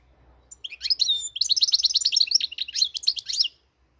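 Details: Moroccan European goldfinch singing a fast, twittering run of high, bright notes and short trills for about three seconds, the phrases jumbled and lively, with a faint low hum underneath.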